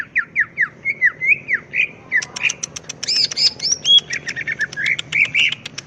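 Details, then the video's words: Greater green leafbird in full song, giving rapid downslurred whistles, then a dense medley of high twittering notes, clicks and bright warbled phrases, over a low background rumble. "cucak ijo gacor"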